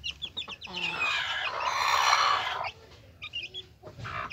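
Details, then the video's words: Hen with her chicks: chick peeps, then a loud harsh drawn-out hen call for about two seconds, followed by more peeping. "Gallina con sus Pollitos"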